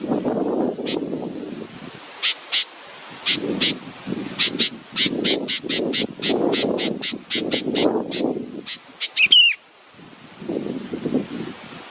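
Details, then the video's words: Baby bird waiting for its mother, giving short harsh rasping calls repeated in a rapid series, about twenty in all, with a brief clear whistle near the end and a low rustling murmur underneath. "A beautiful baby bird is waiting for its mothe"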